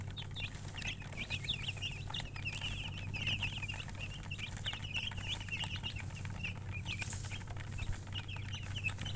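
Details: Colour chickens chirping: a busy chorus of quick, high peeps, many birds calling at once without pause for nine seconds, over a constant low mechanical hum.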